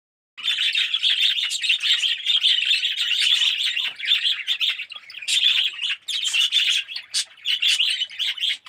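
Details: Budgerigars of the Australian red-eyed type in a colony aviary setup, yellow birds, giving a dense continuous chirping chatter of many overlapping warbled notes, with brief pauses late on.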